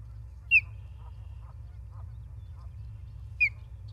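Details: Osprey at a nest in Charlo, Montana, on 28 August 2023, picked up by a live nest camera: two short, high, downslurred whistled chirps about three seconds apart over a steady low hum, with faint softer notes between them.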